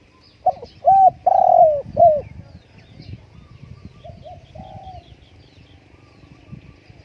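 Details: Spotted dove held at home while strong winds blow outside. A loud phrase of three or four hollow coos with a long swelling middle note, then a softer, more distant coo phrase over steady low wind noise.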